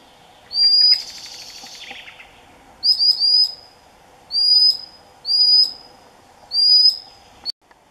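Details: Common sandpiper calling near its nest site on a shoal of the Neman River in June 2015, guarding recently hatched chicks: shrill, thin rising whistles repeated in short bursts, with a brief noisy rush between calls.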